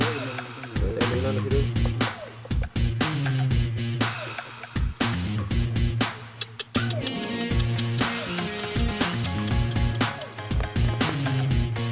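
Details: Loud electronic music with a heavy bass beat and a voice; no animal sound comes through.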